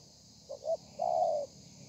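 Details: Single thổ pha phrase from a spotted dove, 30 November 2020: two quick soft notes followed by a long steady low coo lasting half a second, with background hiss.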